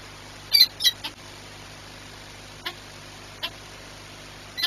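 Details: Peregrine falcon recorded at Orlen Płock, 22 March 2021, afternoon: a quick pair of sharp high chips near the start, then isolated single clicks spaced about a second apart over quiet background hum.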